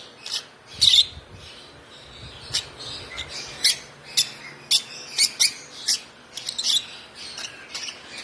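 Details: Hand-fed African lovebird chick, one month old and fed by hand since two weeks of age, giving sharp high chirps in irregular bursts, about a dozen over eight seconds, some doubled, with faint low rumbling at the start.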